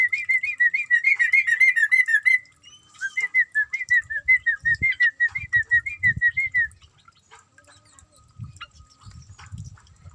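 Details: Caged sooty-headed bulbul being bathed, giving long runs of quick, bubbling whistled notes at a steady mid-high pitch, broken by a brief pause, then fading out into soft splashing and knocking sounds.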